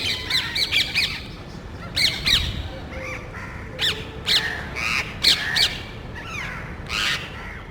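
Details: Parrots in a small group searching a neighborhood for nest sites, poking into electrical and TV cable boxes, seemingly quarreling before flying off; loud harsh squawks come in quick bursts of two to four, with short pauses between.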